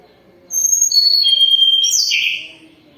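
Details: Moulting Sunda robin singing freely: a sequence of long clear whistles, each lower than the last, followed by a rougher, buzzy descending phrase before fading out.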